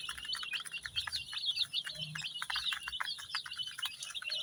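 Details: Many baby chicks (Gallus gallus domesticus), dyed various colours, peep constantly close by indoors in a high, overlapping chorus of short shrill cheeps tumbling over one another with no pause.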